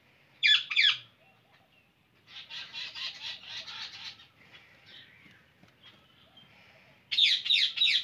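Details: Indian ringneck parakeet giving loud, harsh paired screeches, then a softer stretch of rapid chattering squawks, ending with another burst of rasping shrieks.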